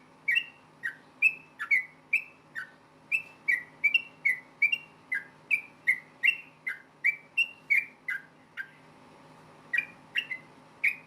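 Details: Fighting song of a yellow-vented bulbul, aimed at prompting other bulbuls to sing back; long run of sharp, downslurred whistled notes at a fast, uneven pace, a brief pause near eight seconds, then three more notes.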